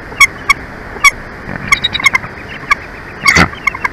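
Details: Bald eagle at a nest in Big Bear Valley, California, on 23 February 2024 at 11:04, home to a pair; short sharp chirps in a loose series, several spaced about half a second apart, then a denser cluster with a rough burst.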